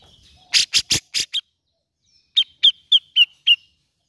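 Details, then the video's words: Grey-cheeked bulbul on a lure recording aimed at a bird that is slow to sing. A string of four grating rasps, a pause, then five evenly spaced, sharp chirps. "PANCINGAN CUCAK JENGGOT MALAS BUNYI!"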